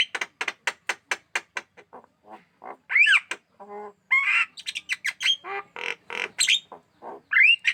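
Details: A black-winged myna kept in a cage sings energetically: a fast series of sharp ticking notes, then varied squawks, rising whistled slurs and dense scratchy chatter, ending on a bright upswept whistle.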